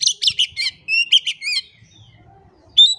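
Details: Oriental magpie-robin singing as a lure for quiet birds: a fast run of buzzy chattering notes and clear whistles, a brief lull with faint low noise, then one sharp rising whistle.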